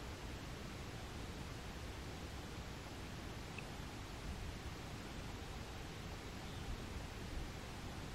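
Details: Even, low-pitched broadband rushing noise throughout, with no calls or song present.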